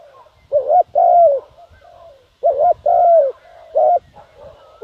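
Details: Spotted dove calling as a decoy to attract wild doves. Repeated phrases pair a hooked coo with a long, slightly falling coo, alongside faint softer coos and low rustling in the background.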